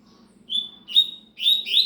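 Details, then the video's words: Rusty-collared seedeater song fragment: a sustained whistled note, then a brighter slurred note and a burst of rising, sweeping phrases, all clear against faint low hum. "coleiro cigano"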